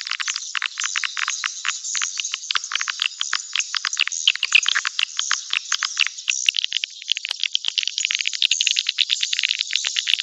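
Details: Swiftlets, as a lure sound for a nesting house: long, fast clicking rattle of short, sharp notes, many per second, over a steady high chatter, slightly softer in the second half.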